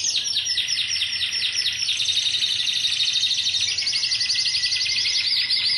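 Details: Timbrado canaries of a 2009 Greek team performing a loud rolling trill made of quick arched pulses, gradually smoothing into an even, rapid warble.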